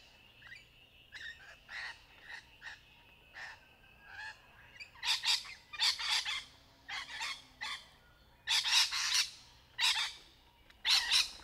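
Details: Courtship mating call of rainbow lorikeets (Trichoglossus moluccanus) playing in trees: a rapid chatter of harsh, shrill screeches. Softer squeaks open the passage, followed by louder grating bursts, roughly one per second.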